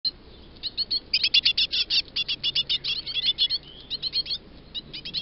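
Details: Great tit nestlings, wanting to be fed on 2 June 2022, beg in an excited chorus of high, thin, rapidly repeated chirps in quick bursts with brief pauses.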